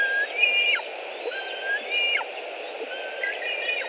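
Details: At a nest in Latvia on 25 July 2018, a white-tailed eagle eaglet near carrion gives quieter thin whistled phrases about once a second, each a level whistle followed by a quick downward slur, over steady hiss.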